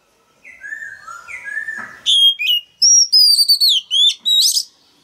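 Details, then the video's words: Caged male Oriental magpie-robin singing to prompt a young bird to start singing: soft falling whistles open the phrase, then a rapid string of loud, bright, high whistled notes with quick slurs, about three per second. "Choè than trống hót réo kích bổi mở mỏ hót theo"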